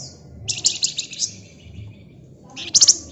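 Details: Flamboyan bird in full gacor ngebren song: a sustained high, scratchy, buzzing phrase with pulsing accents, a short pause, then a brief sharp rattling burst, faint low hum in the background.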